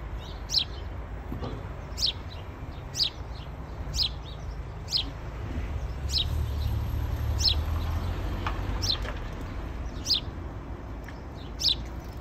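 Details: A sparrow seen up close outside a shop gives short, bright chirps about once a second with uneven spacing, over a steady low rumble like distant traffic.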